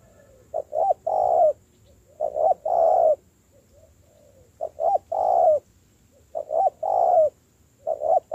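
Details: Newly caught spotted dove in training as a decoy, cooing in repeated phrases of two or three quick short notes and a longer low coo, with faint softer notes between.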